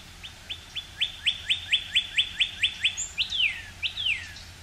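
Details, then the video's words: Northern cardinal, a male, sings from high in a pine at dawn in early spring, filmed with an OM-1 camera: a quickening run of crisp downslurred whistles, about a dozen, ending in two longer, drawn-out descending whistles. "Cardinal's Song of Spring"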